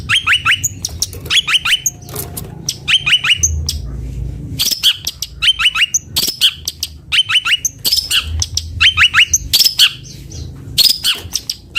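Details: Sweet song of a bondol long-tailed shrike: a short descending phrase of sharp, harsh-edged notes repeated roughly every one to two seconds, mixed with scratchy chatter, over a faint low background hum.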